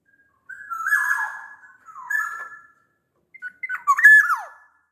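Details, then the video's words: Large-bodied Sumbawa black-naped oriole song, used to prompt lazy orioles into singing. A drawn-out mellow whistle falls slightly, then a shorter phrase follows, and the bout ends with a sharp rising-then-falling whistled flourish. "SUARA KEPODANG GACOR pancingan kepodang agar bunyi"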